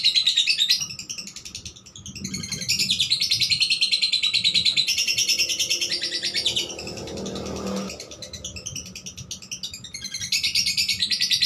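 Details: Blue cobalt lovebird pouring out bursts of rapid, high, scratchy chattering, pausing briefly midway while a low rumbling noise rises, then resuming the fast chirping.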